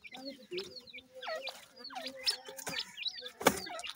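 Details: Young grey francolin chicks, a week old and brooded by a hen, give scattered high falling peeps while feeding, spaced by brief pauses, with a low steady hum and one loud click.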